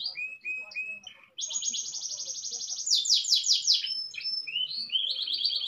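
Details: Canary singing indoors, described as a long rolling song heard day or night: short whistled notes, then a long fast buzzy trill, a louder rapid rattling burst and further quick trilled phrases.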